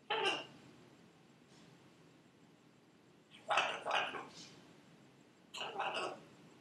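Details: Buffon's macaw, a female kept at home, says her name repeatedly: a single rough syllable, then a quicker three-part phrase and a last two-part utterance, softer and over room hiss.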